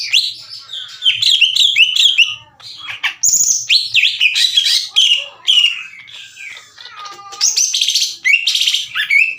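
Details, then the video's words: Green leafbird in vigorous song used to rouse rival birds: continuous rich warbling with fast slurs, squeaky notes and varied whistles, scarcely pausing. "MASTERAN DAN PANCINGAN CUCAK IJO LAMBAT PANAS UNTUK MEMICU EMOSI LAWAN AGAR GACOR"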